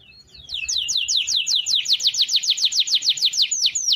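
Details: Canary's long rolling song for training other caged songbirds, a fast steady series of sharp downward-sweeping whistled notes repeated several times a second, rising in loudness after a quiet start.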